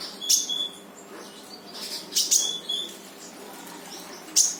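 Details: Brown-throated sunbird song played to make a reluctant bird answer: a few loud high chips, each trailed by a thin level whistle, spaced about two seconds apart over a soft hum.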